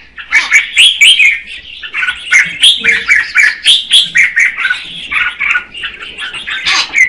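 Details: Singing female red-whiskered bulbul, stimulating the male, gives rhythmic chirped notes about four per second, bright and slightly slurred, in a steady pulsing series.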